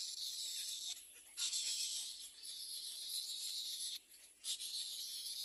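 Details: Little egret chick at its second nest crying for food from its parents: a harsh, hissing, buzzy rasp held for long stretches, broken by two short pauses.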